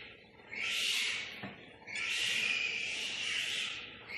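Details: Newly hatched and four-day-old boat-billed heron chicks, captive at Prague Zoo, Czech Republic, handled during a regular check: two long, breathy, broadband hisses, each over a second, separated by a brief pause.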